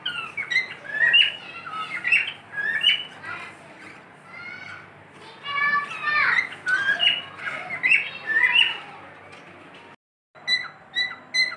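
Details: Pet cockatiel giving a long run of harsh chirps and slurred whistles mixed with squawky notes, varied and irregular, ending with a short drop-out then repeated chirps.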